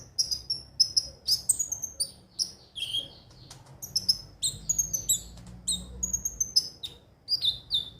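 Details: Konin (sunbird) song used as a lure to make caged birds sing daily: rapid high, thin chirps and short sweeping whistles in quick bursts, with a low background hum.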